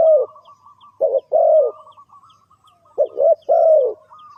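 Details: Low cooing of a spotted dove, a sound used for trapping birds: a long croo, then a pause, a stuttered double note with a drawn-out croo, repeated once more, with a soft background whistle.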